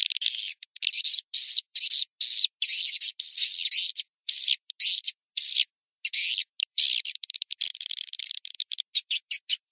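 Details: Swiftlet house lure sound from Indonesia: bursts of high, chattering chirps with a wavering twitter, interrupted by brief silences, closing in quick clicking trills.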